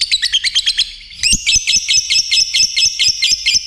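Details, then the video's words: Lovebird in lively song: rapid series of high chirping notes repeated at a quick pace, pausing briefly before a denser stretch of sharp, twittering syllables in a steady run. "Khicoan Burung Lovebirt Gacor"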